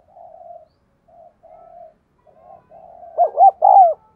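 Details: Decoy spotted dove cooing to stimulate males: several soft, low, drawn-out coos with short gaps, then a loud burst of three rolling coo notes ending in a sustained falling note; otherwise quiet.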